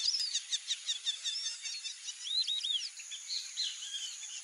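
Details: White-faced whistling duck flock calling: quick runs of short whistled notes at the start, then looping, down-curving whistles in small clusters, all over a steady background hiss.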